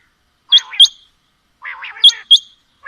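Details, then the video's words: Quail calls from a female and male, mixed: two phrases, each a low buzzy burr and then a pair of high, sharp, whistled notes, loud and close against silence. "Female Batair Calling | Male Batair Sounds | Mix Calling| Batair Ki Awaz | Batair Ki lambi Awazay"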